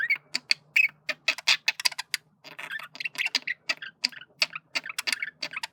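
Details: A male budgerigar flirting, giving a rapid string of dry clicks and short chattering notes, several per second, with brief squeaky warbled bits between them.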